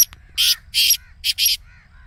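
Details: A short grating burst from a Black Francolin in the excited calling voice meant to start a caged francolin calling: four loud rasping notes in quick succession, followed by faint arched chirps from other birds.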